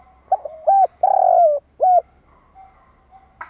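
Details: Spotted dove used to lure wild birds: clipped low coos lead into a long, slightly descending coo and a final short coo, then a soft drawn note and a quiet pause.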